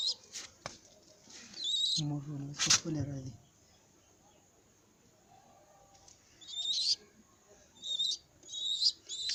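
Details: A baby pigeon walking around gives thin, high squeaky peeps in short bursts, a few seconds apart; a brief low voice is heard near the start.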